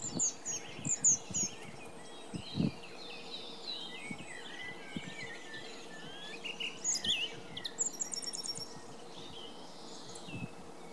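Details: Song thrush singing in Belfast, Ireland: short, high, varied phrases, one a quick series of repeated sharp notes, over a steady background hiss with low thumps.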